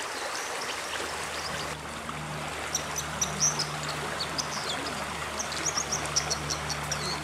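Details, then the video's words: White-throated dippers, Britain's only aquatic songbird, singing in Dovedale in October 2017: thin, high, scratchy chirps and trills in short bursts over the loud, constant rush of a stream, with a faint low hum. "Dippers Singing"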